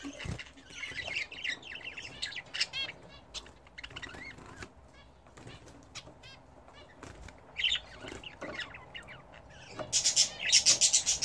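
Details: Bathing budgerigars kept and bred at home: steady wing flapping and water flicking under scattered harmonic chirps and warbled notes, growing into a dense, loud burst of high chatter near the end.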